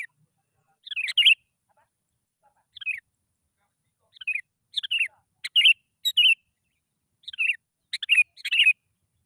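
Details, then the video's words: Sooty-headed bulbul song meant to provoke other bulbuls to sing: bubbly slurred phrases, some rising and some falling, spaced by short gaps and growing denser toward the end. "PANCINGAN BURUNG KUTILANG. Males Bunyi Auto Langsung Bersuara.."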